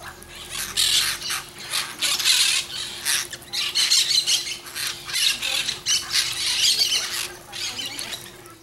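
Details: Peach-fronted parakeet, Eupsittula aurea, free-living: harsh, scratchy squawks in dense overlapping bursts throughout, several birds calling together, with a steady low hum underneath.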